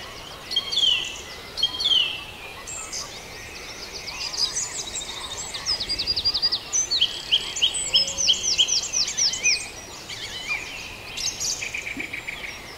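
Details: Many birds singing in the dawn chorus at Farndale: dense overlapping high whistles and fast rhythmic chirped phrases, building into a lively run of repeated notes before easing off, with steady background hiss.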